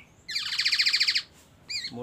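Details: Black-naped oriole singing with imitations of oriental magpie-robin and ambulance siren, here a fast, buzzy, high trill of about twelve pulses lasting one second, followed by a single clear whistled note and a voice.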